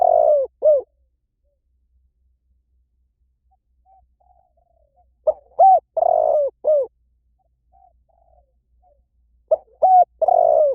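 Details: Spotted dove calling over and over, with a cooing phrase roughly every four seconds. Each phrase has two or three short coos and one drawn-out, downward-curving coo, and the gaps are nearly silent.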